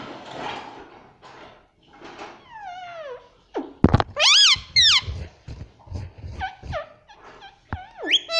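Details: Parrot calling and talking over background noise: soft breathy sounds at first, then descending tonal syllables, a loud thud, a strong arched squawk, and a string of shorter bending calls.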